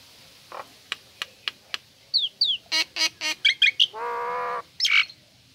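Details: Female Nias hill myna kept as a cage bird gives sharp clicks, then downslurred whistles, harsh squawking notes and a long nasal buzzy call, ending in a bright squeal.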